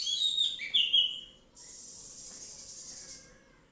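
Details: Orange-headed thrush, 'ngeplong' style, giving a short run of sharp whistled notes that slur downward, followed by a steady airy hiss.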